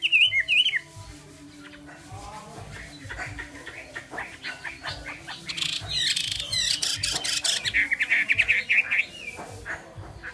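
Chinese hwamei giving loud, varied phrases of bright whistles and harsh squawky notes, over a steady low hum and faint background sounds.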